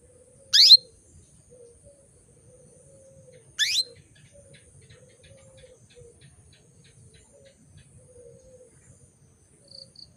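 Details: Female canary call used to bring males into breeding condition: two sharp downward-sweeping chirps about three seconds apart, with soft low warbling from other birds in the background.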